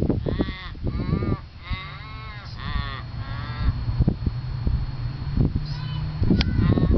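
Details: Australian raven calling at Lake Monger in Perth, Australia: a series of about four drawn-out, harsh, harmonic wails in the first half, each wavering then dropping. Later come scattered faint clicks, a low steady hum and rumbling noise.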